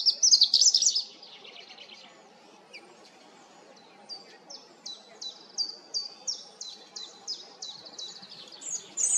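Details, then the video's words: European robin opening with a bright, jumbled high warble, then after a pause delivering an even series of short, falling high notes, with a fresh phrase starting at the end. "roodborst zang малиновка robin Rotkehlchen rouge-gorge"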